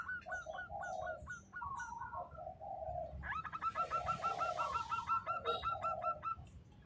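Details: Local zebra doves, kept as singing birds, heard as several overlapping fairly soft songs: quick stuttering runs of short hooked notes, then lower purring coos, with phrases from different birds crowding each other throughout.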